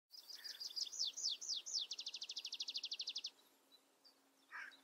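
Tree pipit song: a few high, slurred notes lead into a fast, even trill of about twenty dry notes, then a brief separate call.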